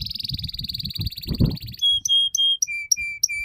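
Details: Canary in long continuous song, a recording played to young canaries so they start singing sooner: a fast buzzy high trill gives way to clear whistled notes, then lower repeated whistles, over low thumping noise.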